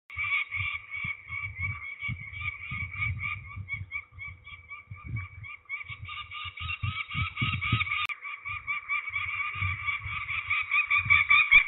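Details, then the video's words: Peregrine falcons at Trzebież, Poland, on 13 May 2019, calling during ringing: a fast, harsh, continuous series of repeated notes, several per second, with low handling thumps and bumps underneath. "Sokoły wędrowne Trzebież (PL) 2019.05.13 - Obrączkowanie cz.1"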